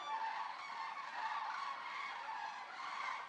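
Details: A resting flock of about 200 Eurasian common cranes at the Racconigi stork centre, Italy, fills a short stretch with a dense, unbroken wash of overlapping trumpeting calls.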